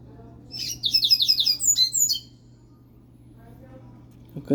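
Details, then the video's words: Caged pet coleiro (double-collared seedeater) warming up before a competition: a burst of rapid, high buzzy chirps about five per second, then two thinner whistled notes, followed by quiet room hum and a faint knock. "Coleiro Furacão USA soltando canto"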